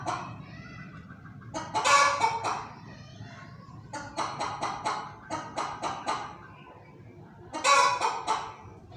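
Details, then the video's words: A hen clucks in harsh, broadband bursts: a loud squawk near two seconds, a run of six quick clucks mid-clip, and another squawk near the end; the owner wonders what is wrong with her. "Hen Making Noises"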